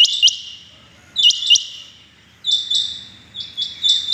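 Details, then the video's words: Rain quail calling on a morning, 6.7.21: four bursts of sharp, high, metallic double and triple notes, spaced about a second apart, over a quiet background. "Amazing rain quail sounds 6.7.21 | today rain quail calling | آج صبح کی چنگی بٹیروں کی زبردست آوازیں"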